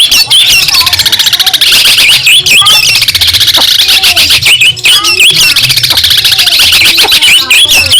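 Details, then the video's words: Long-tailed shrike of Madura origin, a training recording for other songbirds: continuous shrill, rasping warble with rapid ticking notes and brief upward whistles repeating over eight seconds. "Masteran burung cendet Madura asli . Bikin emosi lawan"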